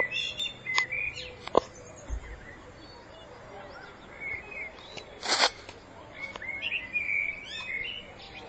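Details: Common blackbird in spring 2014, giving fluty whistled phrases and twittery notes spread across the recording, interrupted midway by a brief loud broadband rustle, with a low hum underneath.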